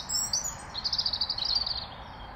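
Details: European robin singing around Wargrave: a quick, high, rippling trill of bright notes around one pitch, lasting about a second, over a faint background hiss.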